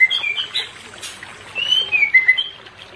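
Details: White-rumped shama song, used as a quick therapy to bring a pair out of non-breeding condition: two short bursts of clear whistled notes, slurred up and down, separated by a quieter gap, with faint background hiss.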